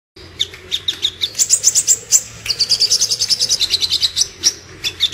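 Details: Sooty-headed bulbul in lively full song: rapid runs of sharp high chirps and short whistled notes, delivered in quick repeated bursts of about five notes per second, with brief pauses between phrases.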